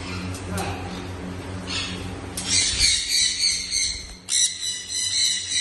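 A sun conure gives harsh, shrill screeches in quick bursts over a steady low hum.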